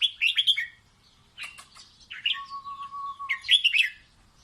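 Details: Red-whiskered bulbul song meant to teach young chicks: a quick tumbling chirpy phrase, a pause, a long flat whistle-like tone beneath, then another bright, rippling warble.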